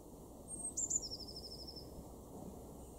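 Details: In a garden in Weener, East Frisia, northwest Germany, in April 2024, a blue tit gives two or three very high, thin notes, then a quick, slightly lower trill lasting under a second, over a steady low rumble.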